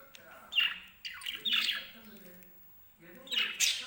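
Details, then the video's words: Caged lovebirds, happy in the morning during cage cleaning, give three loud bursts of sharp, high squawking chirps, each under a second, with quiet gaps between them. "how love birds happy funny moments"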